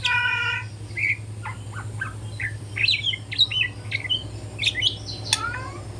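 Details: Speckled young white-rumped shama practising song in the morning: a harsh nasal note, then scattered short whistles and chips building into quicker slurred phrases, with a constant low hum.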